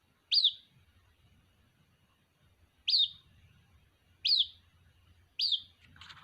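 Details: Chick of the white-breasted waterhen calling its mother: four shrill peeps with uneven spacing, each rising sharply then sliding down, above a low background rumble and a brief rustle at the end.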